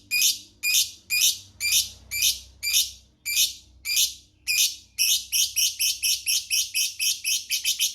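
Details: Lovebird giving a long ngekek chattering song: separate harsh, buzzy high chirps about every half second speed up after five seconds into a rapid, continuous chatter, with a faint low room hum underneath.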